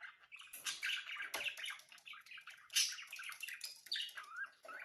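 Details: Budgerigars singing: a continuous, busy warble of chirps, squeaks and rasping chatter, dense and overlapping with high whistled flicks throughout.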